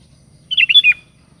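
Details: Lively Sooty-headed bulbul calling to companions, a single quick liquid phrase of four fluty notes dipping at the close, against a soft low rumble.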